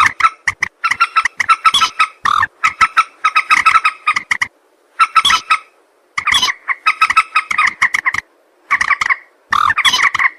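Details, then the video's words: Common moorhen calls used as a hunting lure: harsh, clipped croaking notes in rapid bursts of several, with short pauses between the runs and some crackling distortion. "Moorhen bird hunting voice 2024 | Moorhen birds best sound | Jal morgi ki awaz"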